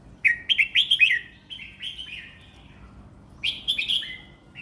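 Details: Competition red-whiskered bulbul singing calmly: a long run of rapid bouncy whistled notes lasting over a second, a pause, then another brisk chirping phrase, with low steady hum behind.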